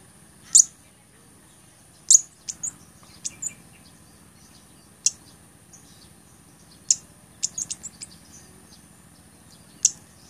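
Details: Blood-breasted flowerpecker, recorded for tutoring songbirds and as a lure: isolated thin, piercing high ticks every one to two seconds, some in short clusters of three or four, against a constant faint high-pitched hum.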